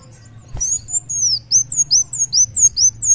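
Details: Kolibri wulung sunbird in energetic muncang daun song: after a faint click, a fast series of very high, thin, arching whistles, each sliding downward, delivered in an almost steady run of about two notes per second.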